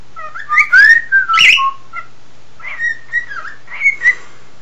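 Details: A male pet cockatiel whistles clear mid-pitched notes that slide up and down in two short bursts while his owner whistles along trying to get him to sing, with a faint low hum behind.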